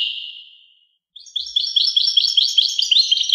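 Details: ['European goldfinch song: a fading high whistled note, a short silence, then a fast run of bright, twittering chirps repeated about twice a second, high-pitched and clean with no other sounds.']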